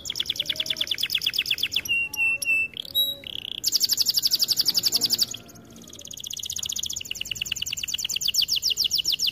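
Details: Canary song for training: a rapid, high, evenly pulsed trill, a section of sharp clicks and lower whistled notes, then further long buzzy trills at different speeds.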